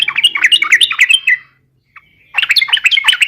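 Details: Yellow-vented bulbul giving a fighting song meant to provoke rivals: lively chattering phrases of bubbly, warbled notes, a pause of under a second, then another burst of chatter.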